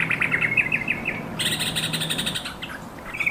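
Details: Calling yellow-vented bulbul (trucukan): a quick string of bubbly, wavering notes gives way to a rough, buzzy chatter, then a short bright phrase returns at the end; a low hum runs underneath.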